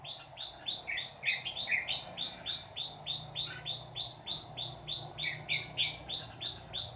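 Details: Trap decoy red-whiskered bulbul of the white-cheeked type gives a long steady fighting song of short bright notes, about three per second, evenly spaced, with only a soft hum behind.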